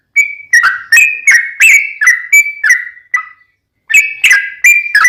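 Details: Bulbul song meant to draw replies from other yellow-vented bulbuls: rich, gurgling notes, each sliding downward, delivered in a rapid string with one short pause.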